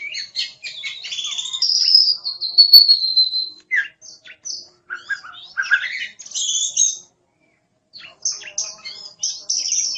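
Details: Oriental magpie-robin, a kept songbird in fine singing form, giving a varied song of harsh squawky notes, chirps and a long high whistle that slides gently downward, with short pauses between phrases.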